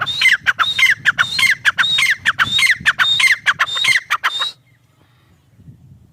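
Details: Grey partridge calling in quick repeated phrases of whistled and harsh squawking notes for about four and a half seconds, then stopping abruptly; faint low background noise remains afterwards.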